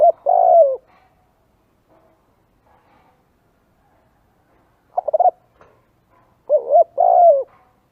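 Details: Spotted dove coos used as a dove lure: a long low coo at the start, faint clicks and a brief stuttered note midway, then a complete phrase of quick notes and a drawn coo.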